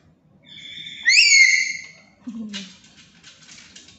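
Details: A tame, talking black-capped lory utters one loud, shrill, harmonic-rich call that jumps upward midway and fades after a second, followed by a brief low voice and soft rustling in a quiet room.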